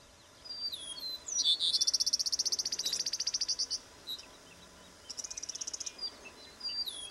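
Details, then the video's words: Eastern meadowlark: a few slurred, falling high whistles, then a long rapid run of buzzy pulsed notes lasting about two seconds. A shorter buzzy burst follows after a pause, and more thin whistles close the sequence over a quiet background. "Sturnelle des prés/Eastern Meadowlark"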